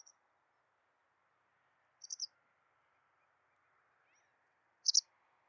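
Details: White wagtail calls: brief high double chirps, two clear ones about three seconds apart, over a faint low steady hiss.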